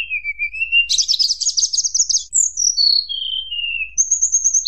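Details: Sunda blue robin's flute-like song for provoking rivals: a low rising whistle, a long rapid buzzy trill, then slurred whistles falling step by step, and a high wavering note at the end.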